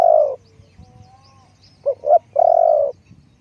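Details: Low, mellow cooing of a spotted dove kept as a lure bird: a long croo, a pause, then two clipped rising notes leading into a sustained husky croo.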